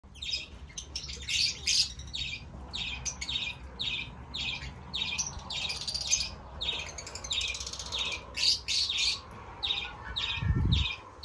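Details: Fischer's lovebirds giving a steady series of short, harsh, high chirps, several birds overlapping, with a brief low thump near the end.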